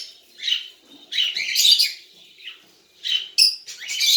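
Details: Young tame cockatiel producing harsh, noisy chirps in irregular clusters, a longer rasping run in the middle and sharp squeaky notes near the end.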